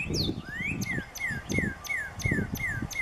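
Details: Northern cardinal singing at sunset on 20 April 2020 gives a rising whistle, then a quick run of clear, down-slurred whistles about three per second, with low rumbling noise beneath.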